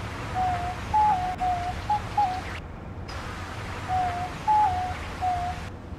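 Diamond dove giving soft, mellow coos: short notes, some stepping down in pitch, in two phrases of three to five notes over a steady background hiss.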